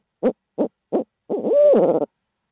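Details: Three clipped hoots from a Midtown Tulsa barred owl lead into a long, wavering, descending final hoot with a rough edge. The hooting is clean, with no other sounds.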